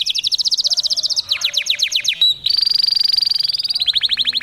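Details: Taghreed song of a male domestic canary directed at females: rapid rhythmic trills at about four notes per second, a brief pure whistle, then a long steady buzzing roll ending in quick descending chips.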